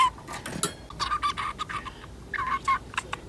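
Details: Ten-month-old female budgerigar chattering at home, mimicking another budgie's speech; a quick series of warbled, slightly nasal syllables, a brief pause, then a few more chirpy notes.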